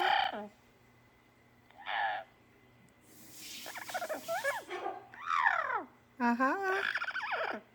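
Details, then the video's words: Morning repertoire of a pet parrot indoors: short harsh squawks separated by pauses, then a noisy flurry of rapid, sweeping, warbled notes ending in a steady harmonic call. "Parrot's Morning Repertoire"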